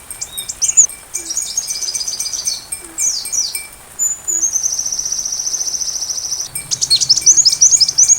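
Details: Sunbird song meant for teaching a white-rumped shama to sing. It has high chips and short downslurred notes, then a long, even, buzzy trill held for about two seconds, and ends in rapid twittering.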